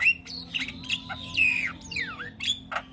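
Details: Young Javan myna singing energetically, harsh squawks mixed with clear whistled notes and a descending then rising slurred whistle, delivered in a jumble of short varied phrases.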